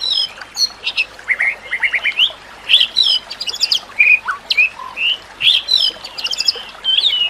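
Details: White-rumped shama song, a recording meant to train other shamas, set with nature sounds and trickling water: rapid bursts of bright whistled notes and quick rising slurs, jumbled with high chattering trills, phrases coming every half second over a steady hiss.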